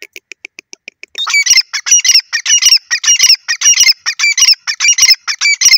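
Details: Grey francolin calling: a short run of soft, evenly spaced ticking notes, then loud, harsh, grating phrases repeated rapidly and rhythmically, nearly two per second, with no other clear sounds.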